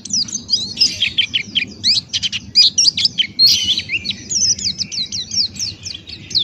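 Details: Buxtoni white-eye (pleci) male pouring out open-beak 'ngalas' song for tutoring other birds. Dense, varied high twittering with rapid slurred notes and short trills continues throughout over a low murmur.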